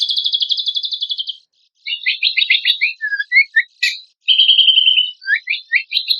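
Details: Kecial kombok contest training song: a fast pulsed trill, a brief pause, then scattered chirps and downslurred whistles, another short trill and more quick varied notes.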